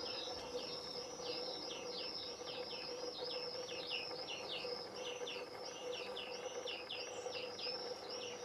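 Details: Garden greenfinch fledglings begging while the male feeds them, the season's first young of 2021; a steady stream of high, curved chirping notes, several per second, over a constant low hum.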